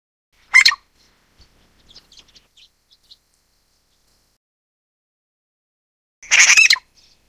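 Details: Grey Treepie (Dendrocitta formosae formosae) gives two harsh, grating bursts about six seconds apart, with faint, soft chattering notes between them.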